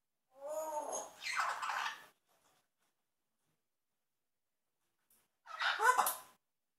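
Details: African grey parrot (Psittacus erithacus) mimicking sound effects: a buzzy, descending harmonic note sliding into a raspy hiss, then a short harsh burst after a pause.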